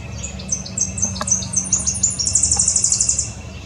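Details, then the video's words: A Tennessee Warbler sings: very high, dry chips that speed up into a loud, rapid staccato trill at the end, over a faint low background hum. "Tennessee Warbler (singing)"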